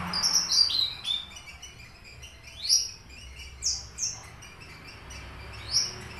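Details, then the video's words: Horsfield's bush lark, subspecies aliena from Papua, kept caged and singing actively: a run of high chirps at the start, then separated sharp downslurred whistles and squeaky notes every second or so over quiet background. "branjangan aliena gacor / mirafra javanica aliena / branjagan papua"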